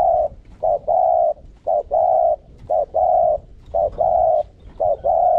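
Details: Spotted dove decoy cooing hard to draw wild doves into calling: a steady run of paired notes, each a brief coo and then a longer one, repeated about once a second, loud and even.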